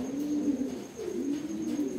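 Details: Racing pigeons during summer breeding preparation: low, soft cooing in two drawn-out rolling phrases, with a faint steady high hum in the background.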